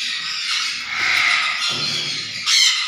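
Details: Continuous raspy, buzzy chattering from a black-capped conure, steady and harsh throughout, ending in a sharper louder squawk.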